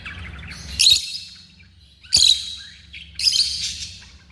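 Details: African lovebirds kept as pets, uttering three sharp, piercing shrieks roughly a second apart, over a steady low hum.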